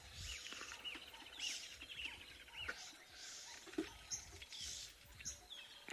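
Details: Oxpeckers at sunrise on 15 December 2021, on an African safari drive near antelope, give busy, high chirps with short downslurred notes, mixed with harsh hissing bursts every second or so, over a soft background hum.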